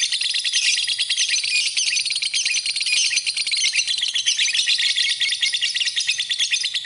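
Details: Lovebird singing on a tutor recording for training birds: a steady, shrill stream of fast chirps and metallic twitters that stays high and busy from start to finish.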